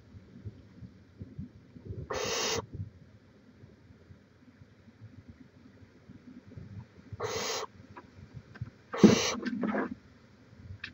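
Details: Barn owl at a nest, filmed by a live cam in Chula Vista, California, on 18 May 2017; three harsh, breathy hisses, each about half a second, spaced unevenly, over faint low rumbling and rustling.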